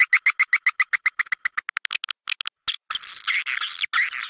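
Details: Swiftlet house lure sound for calling in roosting swiftlets: a quick series of sharp clicking chirps that speeds up and fades, a brief pause, then continuous scratchy high chatter.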